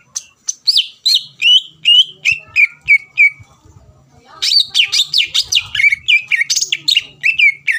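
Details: Lure song of a greater green leafbird, used to anger rivals so they answer back: a rapid train of loud downslurred whistles that pauses briefly, then resumes as a dense jumble of varied chirps and slurs, with faint low rumble beneath.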